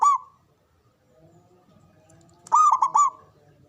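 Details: A local zebra dove from Java, kept as a lure whose natural calls draw rivals to answer. A short coo note opens, then after a pause comes a quick, bubbling, stuttered coo phrase over faint low background murmur.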